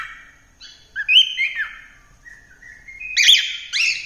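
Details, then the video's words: Singing cockatiel giving drawn-out whistled notes, some bending up and down, then a louder burst of chirps toward the end, with no other sounds. "Cocktaiel Singing | Melodious Singing l Bird Singing"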